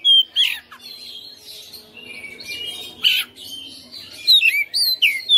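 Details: Home-kept Oriental magpie-robin in eager, fighting song showing its filler repertoire: a loud whistle opens, followed by soft chattering and harsh rasps, then bursts of bright, looping whistled phrases toward the close.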